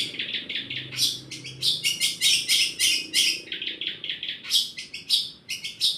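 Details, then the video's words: Energetic scratchy song of a long-tailed shrike stuffed with imitated 'church' sounds, dense buzzy squawks and chirps tumbling in fast irregular groups. "Cendet Gentayu isian Gereja"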